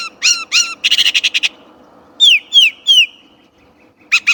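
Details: Chinese blackbird song: a few slurred notes and a quick chattering run, then three clear descending whistles evenly spaced, ending with a short double call.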